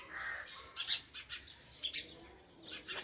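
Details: A female house sparrow gives short, harsh chirps in small bursts about a second apart, over a soft background hiss.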